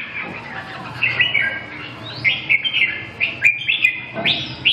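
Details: Red-whiskered bulbul singing in short whistled phrases, each a cluster of quick liquid notes with rising slurs, separated by brief pauses, with a faint background hum.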